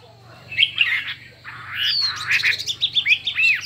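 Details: Chinese hwamei in a singing contest, delivering many voices: loud varied whistled phrases, some slurred and some rising, after a quiet start, with a faint low hum underneath.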